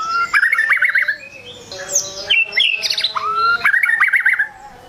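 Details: White-rumped shama song used to provoke rival birds: wavering warbled trill, then sharp high whistles and chirps, a long rising whistle, and a repeat of the warbling trill.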